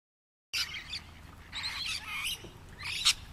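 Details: Rainbow lorikeets in trees, recorded on a Canon Powershot S5 IS while travelling: harsh, high screeching bursts starting after a half-second of silence, several overlapping squawks with the sharpest near the end.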